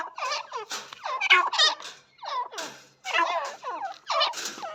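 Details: Grating, rasping partridge calls in clustered bursts, loud and noisy, broken by a short pause midway before the harsh repeated notes resume.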